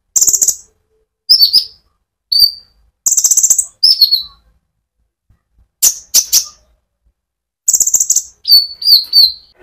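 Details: Konin sunbird singing actively in ngerol rolling style, played as a lure for other sunbirds: bursts of rapid high buzzy trills alternate with sharp down-slurred chips, phrases separated by short silences over nearly ten seconds.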